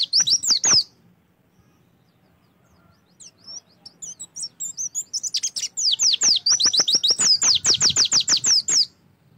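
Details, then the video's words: Oriental white-eye song used as a prompt to get a bird singing: a short burst of rapid high descending notes, a pause with scattered faint chirps, then a long fast series of bright downslurred whistles repeated several times a second. "PANCINGAN AMPUH SUPAYA PLECI LANGSUNG BUKA PARUH‼️"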